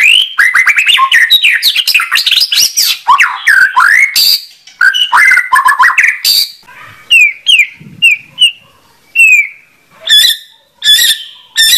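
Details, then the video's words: White-rumped shama singing a long, dense run of rapid rising and falling whistles, then spaced, clear, high downslurred notes with short silences between them. "Kicau Burung Murai Batu"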